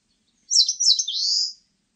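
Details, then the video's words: Eastern crowned warbler singing in 2020: two brisk high wavering notes and then a lengthy buzzing note climbing gently in pitch, about one second long, with silence around. "산솔새, 여러번 듣기"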